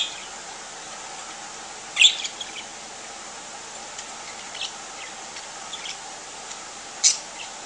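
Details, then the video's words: Three pet parakeets, a yellow, a green and a white, waking up in the morning give two sharp, high, scratchy chirps about five seconds apart, with a few fainter chirps between, over a quiet hiss. "Reveille For The Parakeets"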